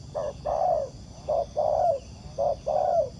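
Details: Wild spotted dove cooing in reply to a ground decoy during trapping, described as a good, spirited cooer. Three paired phrases: a short low note, then a longer warbling coo that slides downward, spaced about a second apart, over faint low rumble.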